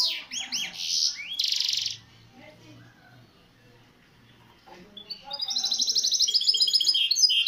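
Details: Misto hybrid canary singing on a training recording for young birds: rapid trilled phrases of high repeated notes, a pause with faint low murmuring, then a long fast trill of clipped high notes.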